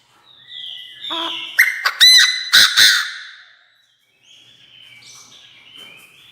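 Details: Decoy Chinese francolin calling to gather the flock: a loud burst of harsh, strident notes in quick rhythmic succession, followed by quieter thin whistles from other birds.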